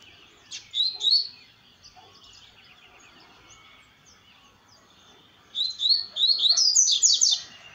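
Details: At dusk, a double-collared seedeater gives a short burst of high chirps, pauses for several seconds, then delivers a longer phrase of rapid, sweeping whistled notes rising in pitch.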